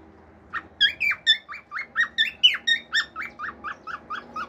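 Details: Male pet cockatiel singing natural songs, with wolf whistles and clicks: a fast run of about a dozen short, bright whistled notes, each swooping up then down, spaced roughly three per second over a low hum.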